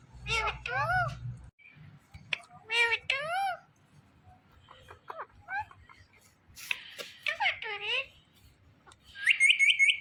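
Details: Talking ring-necked parrot producing several loud warbled, wavering harmonic utterances separated by pauses, with short clipped syllables between them and high squeaky repeated notes at the close; a brief low rumble at the start.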